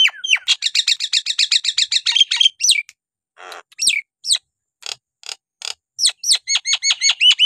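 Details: Nias hill myna in full song, used to stir lazy birds into singing: a fast run of about fifteen loud, ringing harmonic notes, then sweeping downward whistles and a final series of sharp, hooked notes repeated quickly.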